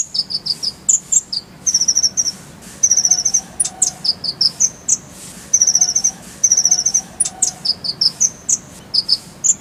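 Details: Masteran of the kolibri ninja (konin): repeated phrases of high sharp chips and short buzzy trills, sung in quick bursts with brief pauses throughout.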